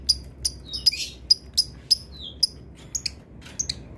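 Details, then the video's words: Lovebird used as a master tutor bird, famed for long chatter, giving sharp high ticks about every half second. Brief falling whistles are mixed in, over a soft low hum. "love bird yang susah bunyi ngetik , ngekek panjang"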